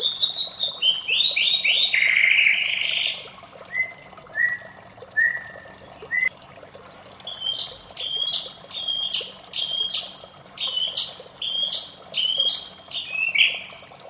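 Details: Melodious morning song of a white-rumped shama: a rich rapid trilled run, then spaced soft whistles, then a string of bright stepped notes about once a second, over steady hiss.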